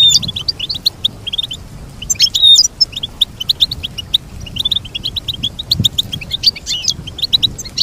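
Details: Goldfinch singing a long run of rapid, jangling twittered notes, with sharper bursts and a rising whistle early on, steady high chatter throughout and a faint low hum beneath.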